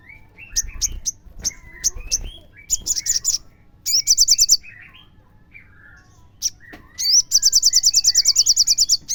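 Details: Crimson sunbird song used as a lure to make other sunbirds sing: high, sharp chirps and clicks, then rapid, buzzy, evenly pulsed trills, with a second trill run near the end, all over a quiet background.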